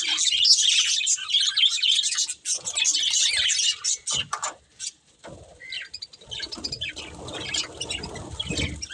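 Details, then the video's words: Budgerigars, a breeding pair, chirping in a dense high twittering burst for the first half, then quieter, scattered chirps and softer noises with gaps of near silence toward the end. "Cute Colourful Budgies Chirping Sounds"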